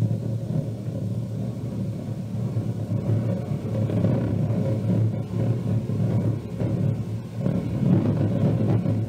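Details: Heavy vehicle rumble with a car seeming to accelerate now and then, broad low noise throughout, and no calls from any animal.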